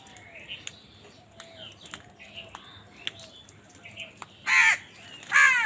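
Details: Crows calling in a village: two loud, harsh caws near the end, each a broad rasping burst, following a stretch of faint chirping and twittering from small birds in the background.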